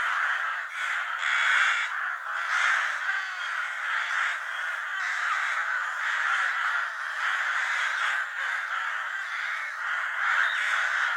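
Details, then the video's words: A flock of crows fighting for food fills the air with nonstop coarse cawing, many voices overlapping into a rough, unbroken clamour that rises and falls slightly. "Crow sounds / Crow call to Attract Crows for food"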